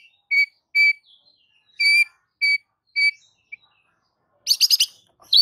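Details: White-rumped shama (murai batu) singing to provoke other shamas: five pure, ringing whistles at a steady pitch with short gaps, then a sudden burst of rapid, harsh, high chattering notes.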